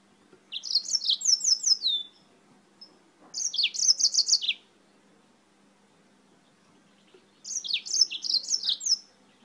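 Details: Yellow-fronted canary (Serinus mozambicus) from Spain singing a lot: three bursts of fast, high twittering phrases, each about a second long, made of sharp descending sweeps and trills, separated by quiet pauses.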